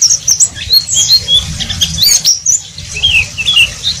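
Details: Pleci (Oriental white-eye) ngeriwik song, scattered high chirps and short twittering slurs over a rumbling low background.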